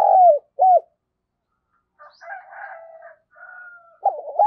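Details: Spotted dove giving urging coos and calling coos in the Vietnamese 'thổ' voice style: short, low, slurred coo notes open and close the clip, with a fainter, longer harmonic call of another bird in the middle.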